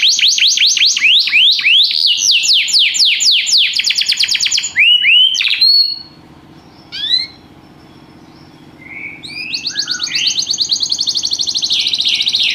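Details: Canary singing rapid descending sweeps for several seconds, then scattered whistled slurs and a quiet gap, resuming with a fast, even high trill.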